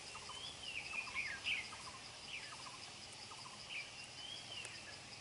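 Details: Wild adult red-whiskered bulbul with a dark bib, caught in trapping amid territorial fighting, singing quick, fast-paced phrases: short warbled whistles rising and dipping, repeated in brief bursts over steady insect buzzing and background noise.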